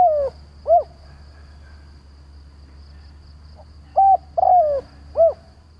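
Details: Decoy spotted dove giving its calling phrase to draw wild doves for trapping: an arched coo opens, a long pause follows, then a level coo, a descending drawn coo and a rounded final note.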